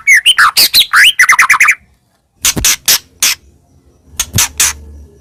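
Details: White-rumped shama song used as a lure to draw other birds: a rapid run of varied loud whistles and chattery notes for nearly two seconds, a pause, then a few sharp, widely spaced notes.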